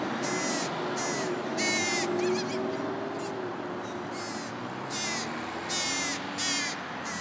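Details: American crow young, nearly independent but still being fed by the parents, beg with a rapid run of about ten harsh, raspy, slightly descending caws, some tightly clustered, over constant background noise.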